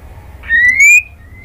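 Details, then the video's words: Female white-rumped shama calling a male, with one clear whistled note that rises steadily and then fades, followed by a faint trailing whistle. "KRETEKAN MURAI BATU BETINA bikin BIRAHI jadi EMOSI NYAUT GACOR"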